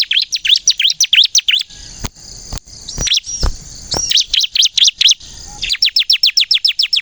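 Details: Energetic bar-winged prinia of the crystal ciblek variety, recorded to lure and stimulate other ciblek: fast runs of sharp downslurred high chirps, a middle stretch of scattered upslurred whistles and clicks, then another quick chirping series.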